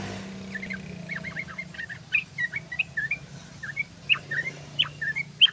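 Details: Sooty-headed bulbul, known locally as trucukan, singing: a busy run of short bubbly notes around mid-high pitch, some sharper upslurred accents, delivered irregularly over a steady low hum and faint background noise.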